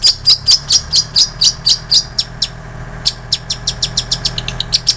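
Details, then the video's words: Long-tailed shrike with mimicked ciblek sawah and canary notes for songbird tutoring: loud, evenly spaced high chirps for two seconds, then a quieter, quicker patter of thin ticks that grows louder again at the end. "Cendet Isian Ciblek Sawah Kenari"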